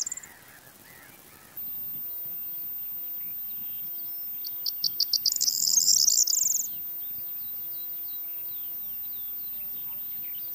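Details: Corn Bunting, a ground-nesting bird of fields and meadows in extensively farmed land, sings one short phrase: a quick series of dry ticks that speeds into a high, shimmering, jangling rattle, with a steady hiss in the background.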